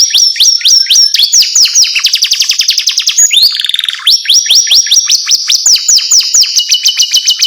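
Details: Jerit-jerit, or screaming, canary song: sharp, rapidly repeated rising whistles, dense high trills and a brief descending buzzy rattle midway, all piercing and continuous.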